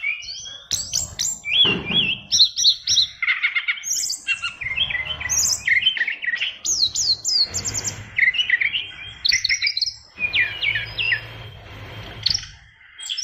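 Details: Oriental magpie-robin of fighter type in a cage sings a long, heavily filled song of sweeping whistles, quick zigzag notes, and dense chattering phrases. Muffled low thumps sound in the background.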